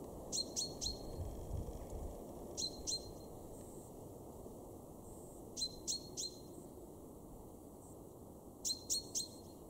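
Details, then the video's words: Male common chaffinch (Fringilla coelebs) in a garden in Weener, East Frisia, northwest Germany, in March 2023. It gives sharp, metallic 'pink' notes in bursts of two or three every few seconds over a low rumble. "chaffinch (male)"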